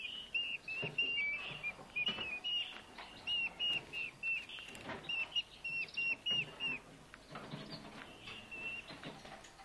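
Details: Two rescued, starving Eurasian hobby nestlings being hand-fed at a wild bird rescue centre in Hungary, found on a road one August evening amid heat and drought. Thin, high calls come in quick repeated series, with handling clicks and rustling throughout.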